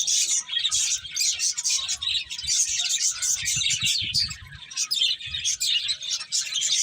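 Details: Finches feeding together, giving a busy mix of sharp high chirps and quick twittering notes, with faint low rumbling underneath around the middle.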